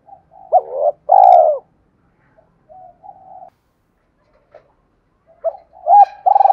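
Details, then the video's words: Spotted dove giving a 'thúc' style coo used to provoke and lure wild doves: two loud, low hooting coos near the start, soft quieter coos in the middle, then another rising pair of coos at the end. "tiếng cu gáy Thúc cực đỉnh dùng kích bổi rất hiệu quả/ cu gay kich boi nhanh noi gù"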